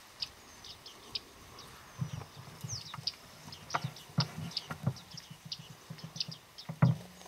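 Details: Autumn flock of bearded reedlings at Flamingo Lake, Shirvan National Park, Azerbaijan, on 8 November 2013; short, high metallic pings come irregularly from several birds over a steady low rumble and scattered soft knocks.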